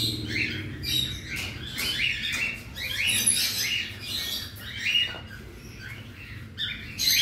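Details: A colony of about 100 cockatiels in an aviary during routine cage cleaning. Many overlapping short, harsh, rising chirps sound almost continuously, with a low hum beneath.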